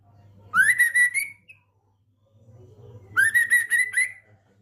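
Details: Actively singing male Medan white-rumped shama, a mutation bird, in trotolan style. Two clear rising whistled phrases, each about a second long, are separated by a pause, with a faint low hum underneath.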